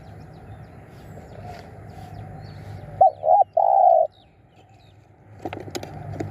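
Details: Spotted dove used as a decoy to lure wild birds: after a stretch of quiet background hum, three loud, mellow coos, the first two short and arched and the last a long drawn-out note.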